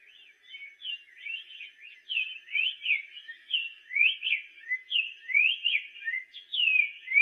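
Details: Black-faced tanager singing soft, then louder whistled notes, each a quick up- or down-slur, run together into a flowing warble.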